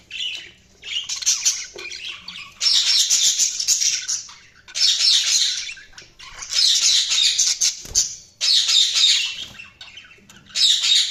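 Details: Budgerigars in lively chatter, a run of loud scratchy warbling bursts separated by short pauses, with high squeaks and chirps packed tightly inside each burst.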